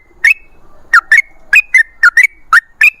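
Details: Sooty-headed bulbul phrases: bright bubbly whistles, rising and falling, delivered in quick pairs and singles about every quarter to half second.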